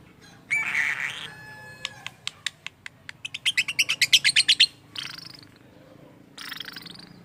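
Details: Lovebird producing an unusual voice, said to imitate people talking: a harsh buzzy squawk, widely spaced ticks that speed up into a fast, shrill stuttering run, then more rasping squawks.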